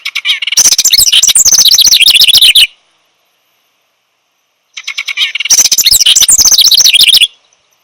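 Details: House wren song, gurgling, bubbling and exuberant with no set pattern, given twice: each burst starts with thin chips, then swells into a loud, fast, jumbled rattle of high warbled notes lasting about two seconds.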